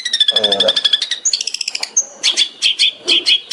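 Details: Cendet, or long-tailed shrike, in 'tembakan' song for training songbirds: a fast chattering trill with a lower nasal warble, brief whistles, then loud paired high chirps.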